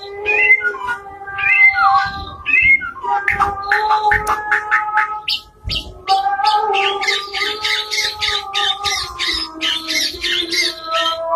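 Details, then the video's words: White-rumped shama in full, continuous song. Varied whistles and slurred notes open the sequence, then it speeds up into dense runs of sharp, rapidly repeated chips and trills with little pause. "KICAU MURAI BATU GACOR SAMPAI NDILUK-NDILUK"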